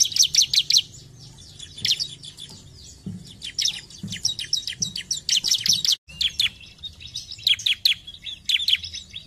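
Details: Bar-winged prinia, locally ciblek, singing in a recording meant to prompt birds to sing: clusters of fast, piercing chirps and short trills come in irregular bursts, with a steady low hum throughout.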